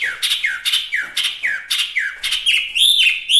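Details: Chinese hwamei (wambi mini) repeating a downslurred whistled note about twice a second, ending with higher twisting whistles.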